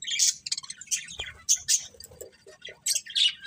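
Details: Budgies producing sharp, separate high chirps and squeaks, some with clear whistled tones, spaced irregularly with softer lower warbles between.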